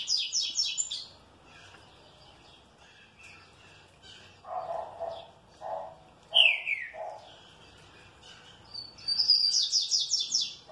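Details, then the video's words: Green-winged saltator kept in good care, singing in response: bursts of fast high notes at start and end, with a loud downslurred whistle and some lower soft notes between. "TRINCA FERRO MANDRAKE BEM TRATADO RESPONDE COM ALEGRIA"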